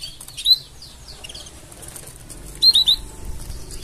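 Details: Canary giving mating sounds: short, high, sweet chirps, a few quick notes, a pause, then a cluster of three bright rising notes near the end.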